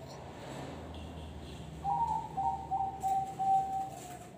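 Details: Zebra dove (perkutut) in noklak nekung song: after a stretch of low background hum, a string of short, soft coos on an even pitch runs for about two seconds, some notes clipped and stuttering.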